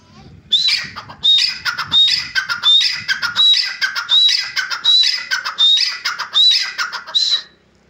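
Grey francolin calling: a loud, harsh, ringing phrase with a high whistled note, repeated about every three-quarters of a second, ten times in a row.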